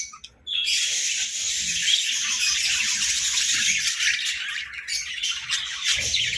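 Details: Budgerigars kept as pets, heard in the morning, burst into loud, dense warbling chatter after a brief quiet opening, with scratchy high notes and soft knocks underneath.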